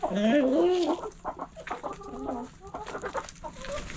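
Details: Backyard hens in a coop: a loud wavering drawn-out squawk opens, followed by a busy run of rapid clucks from several birds.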